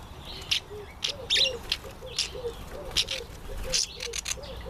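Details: Red-collared widowbird in breeding season: short buzzy, sizzling high bursts at irregular intervals, with a steady low cooing from another bird repeated about every half second behind.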